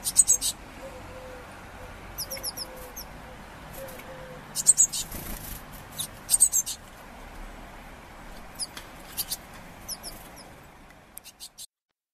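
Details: A Eurasian Blue Tit chick, fed by its parents at a window in Bayreuth, Germany, in June 2015, begs with thin, very high, hissing bursts in short clusters every second or so, plus a soft low whistle early on.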